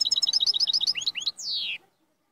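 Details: Moroccan royal goldfinch singing a fast series of bright, twittering two-part notes repeated about ten times, then a few rising chirps, ending in a long, buzzy, downward-slurred note.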